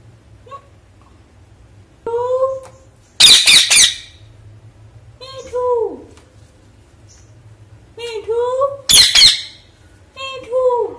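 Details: Pet parrot indoors talking with its owner, producing harmonic speech-like phrases with falling and rising tones, interspersed with two loud harsh squawk bursts; a steady low hum runs underneath.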